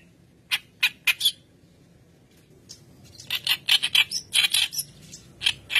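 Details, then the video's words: White-browed kerak basi in vigorous song used as a training lure. Three harsh, broadband chattering notes are followed by a pause, then a faster run of scratchy, squawky bursts. "Keras Basi Alis Putih Gacor Pancingan Bahan"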